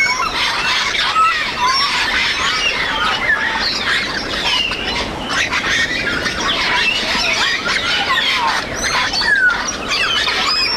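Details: Many wild grey parrots calling together while foraging and flying in Cameroon: constant overlapping harsh squawks and looping whistled notes that swoop up and down, loud throughout with no pauses.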